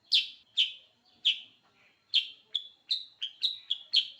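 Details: Sooty-headed bulbul singing in a very active, gacor manner: bright, short chirped notes with sharp starts, first spaced about half a second apart, then quickening into a close run of clipped whistles toward the end.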